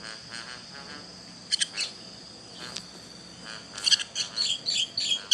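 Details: Young bird's high chirps in short doublets, then a rapid string of sharp notes at the end, set against a steady thin insect-like buzz in the background.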